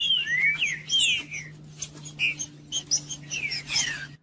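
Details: Green-winged Saltator (trinca-ferro) singing, kept by breeders who enter song tournaments, played to warm up and stimulate a quiet bird: loud whistled slurs sweeping down and up, with sharp clicking ticks between phrases over a steady low hum.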